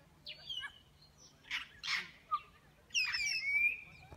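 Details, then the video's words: Wild African grey parrots feeding on palm nuts at supper near Kibale Forest National Park, Fort Portal, Uganda, one rounding up the flock for takeoff: rising whistles, harsh squawks and a long, clear falling whistle. "Wild African Grey rounds up flock for takeoff"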